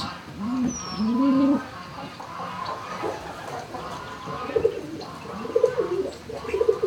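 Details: Barn turkeys recorded shortly after noon on 26 March 2019: a loud rising-falling call near the start, then a run of short, clipped notes repeated toward the end over a soft background murmur.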